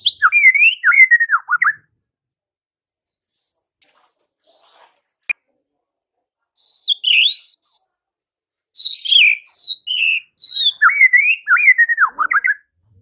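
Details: Morning song of a white-rumped shama meant to make rivals reply at once: bursts of varied whistled and warbled phrases separated by silent gaps of a second or two, one sharp click in between.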